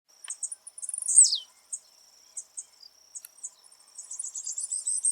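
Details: Wild blue-black grassquit recorded live in nature: a single loud buzzy note sweeping sharply downward, with a steady high insect drone and faint chips from other birds around it.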